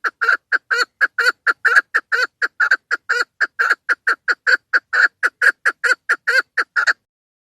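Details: Female chukar partridge call used as a hunting lure: a steady series of short, harsh clucking notes, roughly two per second, repeated for about seven seconds in an otherwise quiet background.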